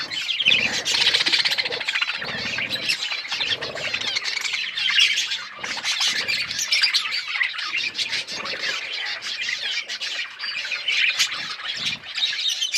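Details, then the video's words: Australian parrots, budgerigars, chattering busily over corn; continuous rapid high warbling and squawky chirps from several birds, with occasional soft low thumps between bursts. "Australian parrots eating corn birds chirping sounds"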